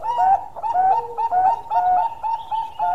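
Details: Bangkok-type zebra dove with a rapid, busy song of rolling, bubbling coos repeated without pause, close and loud.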